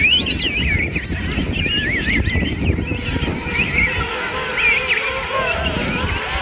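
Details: Thousands of king penguins in a huge colony at Right Whale Bay, South Georgia, on Christmas morning 2008, fill the air with overlapping warbling, wavering trumpet calls, steady and unbroken, over a low rumble of wind or surf.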